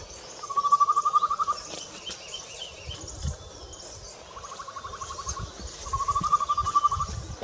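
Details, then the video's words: Slender-billed scimitar babbler (Pomatorhinus superciliaris) calling at Mandala, Arunachal Pradesh, on 26 May 2019, giving three quick, even runs of hollow piping notes, each about a second long, over a faint high insect hiss. "Slender billed Scimitar Babbler(Pomatorhinus superciliaris) Calling"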